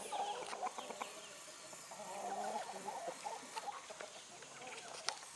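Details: Chickens clucking in short, uneven, repeated notes with some higher squawk-like calls over a steady background hiss.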